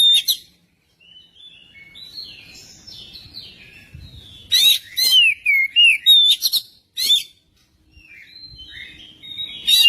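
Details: Song of a magpie-robin used to encourage singing, with soft warbling at first, then a loud run of sharp rising and falling whistles and chattering notes, followed by quieter twitters.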